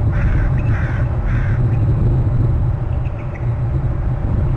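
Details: Crows near a bald eagle nest on Hornby Island in February, calling while the eagle is alerting: three hoarse, harsh caws in quick succession, then fainter calls, over a loud, steady low rumble of wind.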